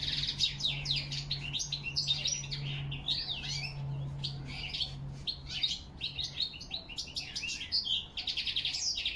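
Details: European goldfinch singing in autumn, October 2021, alongside whistled calls of a crested lark; rapid tinkling, twittering phrases high in pitch run almost continuously, with a steady low hum underneath.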